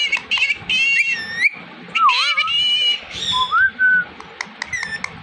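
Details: Pet Indian ringneck parakeet imitating talk: bright harmonic chatter and squeaky phrases broken by a dipping whistle and a rising, level tone, with scattered clicks.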